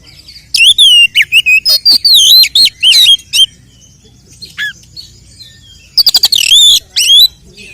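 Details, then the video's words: Kacer, the oriental magpie-robin, singing a combative song meant to provoke rival males: bright wavering whistles and rapid chips in a dense burst, a quiet gap with one low falling note, then another fast burst of warbled whistles. "Kacer gacor 🔥TARUNG KONSLET nembak BUKA EKOR pancingan efektif UNTUK mendongkrak EMOSI burung KACER"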